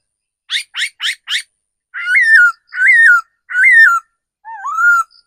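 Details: Mature forest decoy laughingthrush starting with four short buzzy rasping notes, then three long rich whistled phrases that rise and waver before falling, ending on a softer dipping upslurred whistle.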